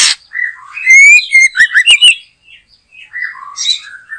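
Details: In a backyard trapping scene, a white-rumped shama delivers a varied, lively song: a rising clear whistle, rapid tumbling notes and sharp clicks, then softer warbled whistles and a brief harsh note.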